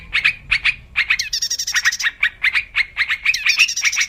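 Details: Wild yellow-vented bulbul singing for use as a trapping lure, with paired chirps at the start, then a steady stream of bubbly repeated notes with a raspy upper layer in the middle.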